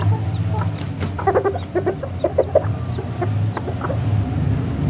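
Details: A rooster family of chickens calling together: short clucks and squawks in quick irregular bursts, clustered in the middle, over a steady low hum.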